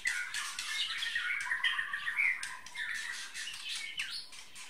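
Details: White-rumped shama (murai batu) from Bahorok, tail 33 cm, giving a continuous warbled song of varied whistled notes, with frequent sharp clicking noises throughout.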